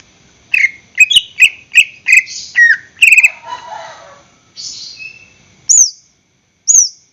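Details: Greater green leafbird in captivity, recorded as a singing lure: about eight quick whistled notes in a row, a scratchy rattling phrase, then spaced high slurred whistles.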